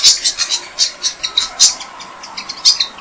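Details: Six-day-old Malaysian pied fantail nestlings being fed by their parents in a jam tree, giving thin, high squeaky chips, about three a second, in an uneven run; no other sounds stand out.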